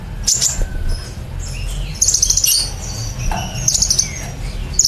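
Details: Sunbird (kolibri ninja) in lively song in the rapid 'nembak cililin' style, from a training recording for songbirds: thin, very high chirps and short sparkling trills in scattered bursts over a low background rumble.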